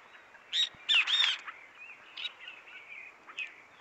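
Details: An Azure-shouldered tanager in woodland gives high, squeaky, thin notes in a short burst near the start, then softer scattered chips against a quiet outdoor background.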